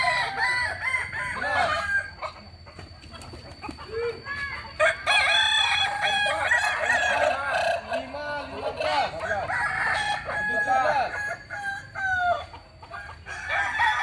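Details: Several Kokok Balenggek cocks from Solok, West Sumatra, crow in overlapping series of quick, wavering syllables, with a loud burst of dense crowing through the middle and lighter notes near the end.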